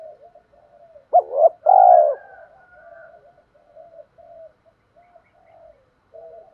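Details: Spotted dove used as a lure bird, cooing in the calling style with two tail notes and a three-note challenge meant to draw wild doves. A short hooked note and a longer buzzy coo stand out amid faint, low-level cooing.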